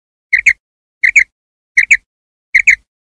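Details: A common quail calling at night gives a sharp, liquid double note, repeated four times at a steady pace of about one phrase every three-quarters of a second, with no other sounds.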